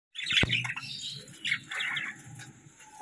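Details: Happy budgies chirping in the morning while feeding at breakfast: bright, scratchy chirps and warbles overlap after a sharp click, with a low hum underneath.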